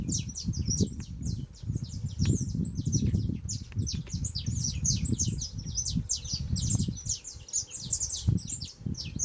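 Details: Young saffron finch singing a lot: dense, continuous chatter of high, sharp, slurred chirps, partly masked by strong low rumbling and handling noise throughout.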